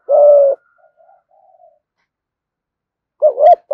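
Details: Spotted dove used as a lure bird, cooing in the thổ voice style: a long, low hoarse coo opens, faint murmurs follow, then after a silent pause a short two-part coo returns at the end.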